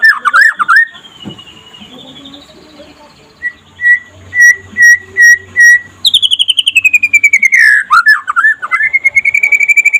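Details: Daytime trotol song of a white-rumped shama, played to get other shamas singing: twisting slurred whistles, a soft rising whistle, a few spaced clear notes, then a fast trill dipping and rising again.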